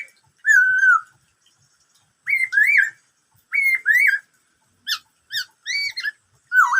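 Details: Black-throated laughingthrush singing a song said to mimic the call known locally as "bắt cô trói cột", among many varied sounds: loud, rich whistled phrases with rising and falling slurs, delivered in bursts about every second or two.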